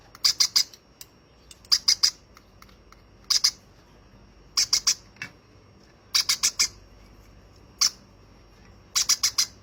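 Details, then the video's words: Hand-fed baby conure uttering rapid clusters of three or four harsh, high squawks, with single notes between, repeated through the recording in a quiet room. "my 2nd handfed baby conure"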